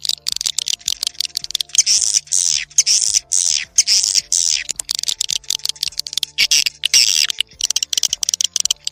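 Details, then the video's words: A swiftlet call recording used by swiftlet farmers in Indonesia to attract birds: rapid dry buzzy chirrups and clicking twitters, high-pitched, in quick bursts with short gaps between phrases. "SUARA PANGGIL BURUNG WALET"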